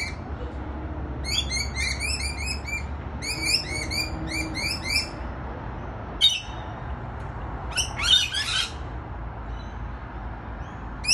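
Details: Rainbow lorikeets visiting a balcony: bursts of shrill, screechy chattering calls early on, then quieter gaps with a few sharp squawks, over a low steady hum.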